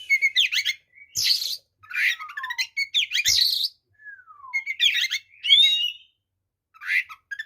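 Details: Oriental magpie-robin fighting song, full of varied phrases, used to provoke and enrage other magpie-robins: bursts of harsh, scratchy notes mixed with bright whistles and long, slurred, falling whistles, separated by short pauses.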